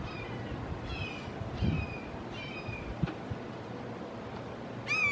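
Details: Red-shouldered hawks, three of them in a Florida backyard, calling to one another; several fairly faint, drawn-out downslurred screams spaced across the clip, with a louder call at the very end and low background rumble.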